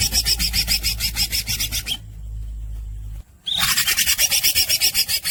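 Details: Cucak hijau, or greater green leafbird, in fast gacor los dol song: a rapid train of harsh rasping pulses, a pause of about one and a half seconds with low hum, then the rasping resumes.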